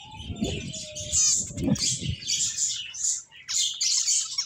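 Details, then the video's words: Finches chirping in bright, high tweets with short trills, grouped in bursts and separated by brief gaps. Light fluttering sounds appear near the start. "Cute Finches Chirping Sounds"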